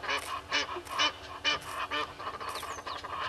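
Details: Red-billed hornbill seeking a meal by a waterhole on Djuma Game Reserve, South Africa, July 2021 morning; loud spaced clucks roughly twice a second, then softer quicker notes, with a thin whistle from another bird.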